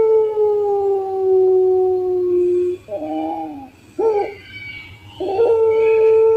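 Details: Contest-grade puter pelung collared dove used as a lure master. A long level coo gradually falling in pitch, followed by two clipped, wavering notes and a fresh sustained coo at the end.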